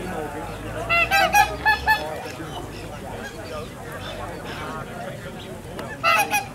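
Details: One of a captive pair of Orinoco geese in a private collection in Holland gives a burst of five or six loud, nasal honks over about a second, then a brief pair near the end, over murmuring from a crowd of people.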